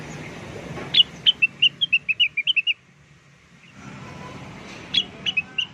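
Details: Lure song of the blue-winged leafbird, meant to make birds reply at once: a rapid string of bright whistled notes, a pause with a low hissing background, then a second shorter burst of similar whistles.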